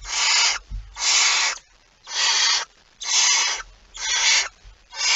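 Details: Barn owl calling at the nest with prey, night of 23 September 2019: steady harsh hisses about half a second long, roughly one per second, with occasional soft bumps between them.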